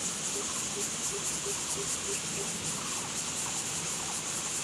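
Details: Lesser coucal calling: a run of about eight short, hollow, low hoots, evenly spaced roughly three per second, almost buried under a loud, steady, high insect-like hiss that fills the whole recording.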